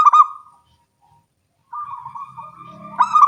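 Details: Local zebra doves singing actively and answering each other in the morning; a stuttered coo fades out, a pause follows, then a purring trill rises into another loud rolled phrase.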